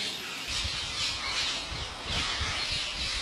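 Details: Huge flock of wild parrots at an Indian farmer's house where he feeds them: a dense, unbroken wall of shrill squawks and chatter from many birds at once, over a low rumbling background.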